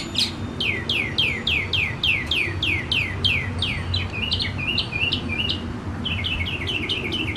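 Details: Northern mockingbird song heard just before the summer solstice, the first sounds of summer: a rapid run of loud descending chips, about three or four each second, switching midway to a lower, choppier phrase, with low steady hum beneath.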